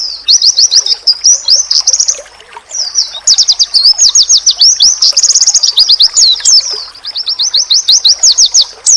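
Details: Oriental white-eye masteran, said to make other white-eyes instantly answer: dense, rapid, high-pitched chirps in long chattering phrases, with a brief pause after the second second and a few quieter gaps later.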